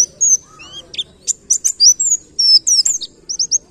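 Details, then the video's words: High twittering white-eye song of separate sweet whistles, slurred notes and short chirps, ending in three quick rising notes, over a faint low background hum. "Masteran Pleci Ngalas Nembak Kenarian"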